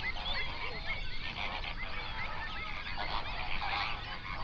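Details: Flamingo flock on a lake in a national park, Overberg region, South Africa, captured in binaural sound near sunrise; many goose-like honks overlap into a continuous chattering din over steady low background noise.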